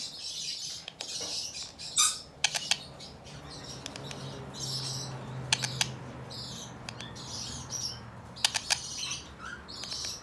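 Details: Cream ino lineolated parakeet, recorded 2022-11-21, makes scattered high chirps and sharp clicking squeaks at irregular intervals over a steady low hum.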